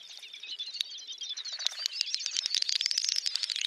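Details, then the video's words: Close, loud Great Snipe lek display in Ryazan oblast, Russia, April 2019, made of sharp, very rapid high clicks run together with bubbling, warbling twitters, building into a steady stream. "Дупелиный ток Gallinago media / Lekking of Great Snipe"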